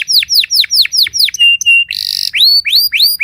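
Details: Timbrado canary singing in early-morning training: a quick series of falling whistled notes, a steady high tone, a harsh buzzy burst, then rising upswept whistles.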